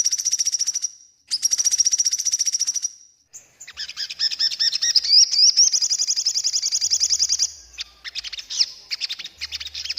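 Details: Sogon singing actively as master song for training birds: two long buzzy high trills, then a rich chattering warble with rapid looping notes and a sustained rattling run, followed by short scratchy bursts and faint low hum.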